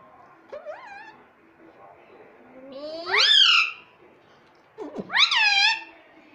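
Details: Indian ringneck parakeet saying "mummy" in imitation: three rising, nasal, voice-like calls, the middle one long and loud, with soft chatter between them.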